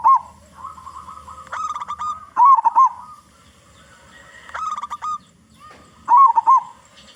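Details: Big-voiced local zebra dove song, used as a lure for other zebra doves. Rolling, bubbling coos alternate with level drawn-out notes in phrases spaced a few seconds apart.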